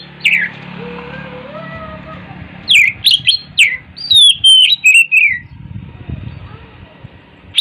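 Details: Morning song of an Oriental magpie-robin: a loud falling whistle, a quieter stretch with faint soft notes, then a rapid burst of sharp, sweeping whistled phrases. Low rumbling noise runs underneath.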